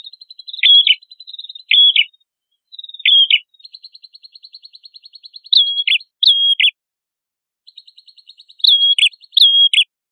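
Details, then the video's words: Red-headed prinia song as training material for songbirds: repeated high, clipped whistles with sudden downward steps, separated by long rapid rattles of soft ticks, with a few faint very high squeaks. "MASTERAN PRENJAK KEPALA MERAH GACOR"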